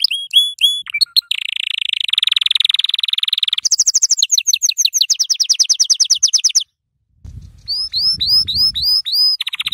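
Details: Song of a yellow canary for teaching young birds: clipped whistles, then a long fast buzzy trill and higher rapid rolls, a short pause with low knocking, and upward-flicking whistled notes.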